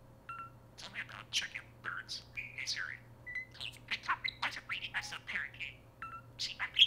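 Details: Pet talking parakeet indoors, a prolific talker said to activate a phone's voice assistant, chattering in a rapid run of scratchy warbles, clicks and short whistled notes, some falling slurs, with a steady low hum behind.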